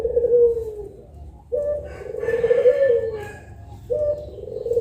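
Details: Collared doves of the pelung style, two birds at midday, repeating long, low, falling coos about every one and a half seconds, with a faint higher sound midway.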